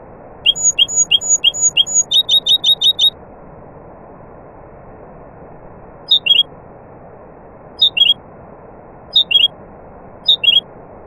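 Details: Nightingale, with other birds about, giving a fast series of high clipped notes that switches to a quicker stuttering run. Then come spaced pairs of short notes every second or so, over constant background hiss.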